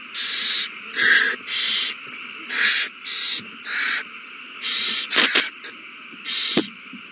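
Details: Nesting owls during a frenzy over a mouse, recorded 21 March 2020: a rapid run of about nine rasping hiss bursts, roughly one every 0.7 seconds, with a few sharp clicks.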